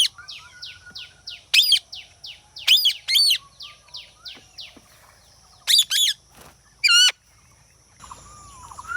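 A rose-ringed parakeet gives quick runs of thin, falling chirps broken by loud, harsh, wavering screeches, about six bursts in nine seconds.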